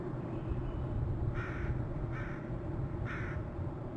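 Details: Male bald eagle calling as a merlin flies by: three short, mid-pitched, harmonic call notes roughly a second apart over a steady low rumble of wind or traffic.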